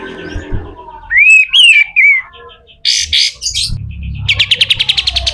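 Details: Pied triller song in coarse 'besetan kasar' style meant for teaching other birds: a clear rising-and-falling whistle, loud harsh buzzy notes, then a rapid, even chattering trill.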